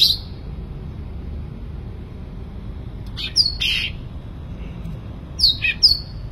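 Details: Sooty-headed bulbul in vigorous song, delivering short pairs of quick, falling whistled notes separated by long quiet pauses, with a faint low background hum.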